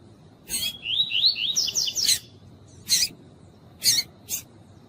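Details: Female lined seedeater (coleiro tuí-tuí) calling to excite a male: a short twittering series of rising whistled notes, followed by several loud sharp clicks spaced about a second apart.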